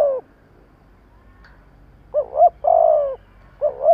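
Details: Trained decoy spotted dove calling to lure wild birds. After a near-silent stretch comes a low double coo, a long falling coo, then another double coo, mellow against quiet background.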